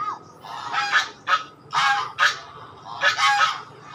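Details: Swan calls: harsh, nasal honks with stacked harmonics, given in short bursts of two or three with brief pauses between groups, loud and close over a quiet background.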